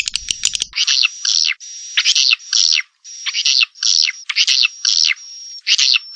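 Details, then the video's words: Swiftlet call used to lure swiftlets into a swiftlet house: short buzzy chirping bursts in uneven groups, with a steady high thin whistling tone running through them. A brief crackle sounds at the start. "suara panggil burung walet"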